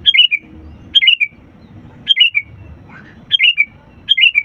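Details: Sooty-headed bulbul singing lively to stimulate lazy birds: five quick, rolling, downward-tumbling whistled phrases, each about half a second long, repeated roughly every second, with faint low background noise.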